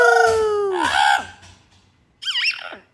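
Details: Pet parrot's morning repertoire indoors: a long clear whistled tone sliding downward, then a harsh broad squawk, a pause, and a short wavering whistled phrase that rises and falls.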